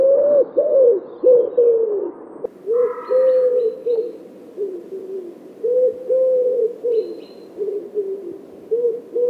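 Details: A common wood pigeon recorded in Wittlich in 2017 repeats deep, rounded coos in rhythmic runs while another small bird twitters briefly at a higher pitch twice in the background.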